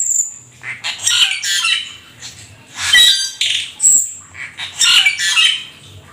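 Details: Black-winged starling, rare and exotic, singing energetically with imitations: a high whistle opening, then repeated bursts of harsh, scratchy chatter mixed with squeaky notes, about one burst every two seconds.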